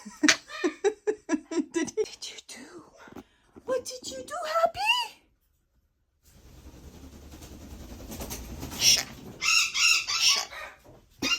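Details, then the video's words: A pet parrot, being scolded for dumping the basil, mimics speech in rapid, squawky syllables and a rising crow-like phrase, then a burst of harsh, noisy chatter and cussing in a small room. "Parrot talking and cussing!"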